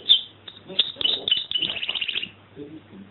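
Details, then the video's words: Singing canary: rapid high chirping notes run into a fast trill, then fade, with faint low murmurs under it. "Singing Canary"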